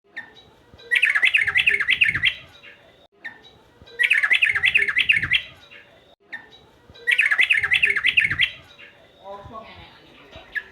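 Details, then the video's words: Male sooty-headed bulbul, described as agitated and singing vigorously: three loud bursts of quick, bubbly, warbled notes, each lasting about a second and repeated roughly every three seconds, with brief quiet gaps between them. "burung trucukan jantan emosi gacor"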